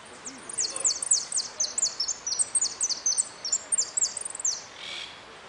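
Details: Goldfinch singing in a singing contest: a fast run of high, sharp, sweeping notes, about four per second, with a short trill-like burst near the end and a low background hiss.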